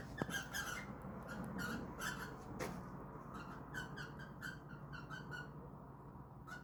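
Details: During an attempted mating between indoor cockatiels, quick scratchy squeaks and chatters come in irregular clusters, loud at first then softer, with a sharp knock near the start and a low household hum underneath.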